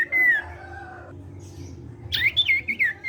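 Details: Gacor sirtu cipow singing to prompt untrained sirtu: a level, drawn-out whistle with fainter overtones, a pause, then a quick burst of sharp, bending high whistles, above a low hum.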